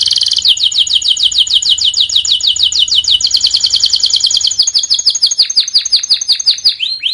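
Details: Training song of a canary (masteran) for birds that have stopped singing: a long run of quick, high, sweeping chirps repeated several times a second, later slowing into spaced bouncy notes and closing on a rising whistle.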